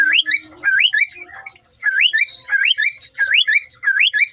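A cockatiel gives harsh, rising screechy notes in quick succession while defending its territory.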